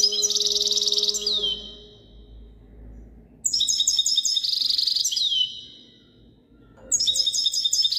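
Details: European goldfinch (chardonneret) singing in 2022: three bursts of high, tinkling, rapid twittering trills, each ending in a downward slurred note, separated by pauses, with a faint low tonal hum at the start.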